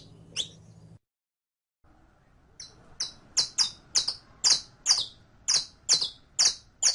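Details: Saffron finch song used to teach a captive canario criollo to sing: after a single chip and a silent gap comes a steady series of sharp, high, clipped notes, about two every second.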